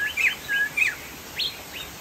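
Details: Chinese hwamei, locally poksay jambul sumatra, in song: loud, clear whistles with arched and rising slides, delivered in a brisk, uneven sequence.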